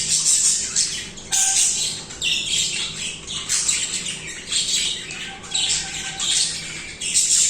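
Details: Continuous budgie singing: scratchy, buzzy chatter with rising and falling warbled notes, irregular loud bursts packed closely together, plus a constant low hum.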